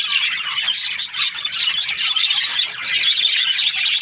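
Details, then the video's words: Breeding-pair budgerigars chirp in a quick, jumbled chorus of squeaky whistles and rasping notes, and the busy chatter never stops. "Budgies parrot chirping sounds | breeding pairs"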